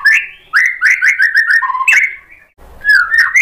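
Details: Agitated by a rival, a white-rumped shama sings a rapid series of clear whistled notes on a steady pitch. A lower phrase and a short gap follow, then more rising whistles.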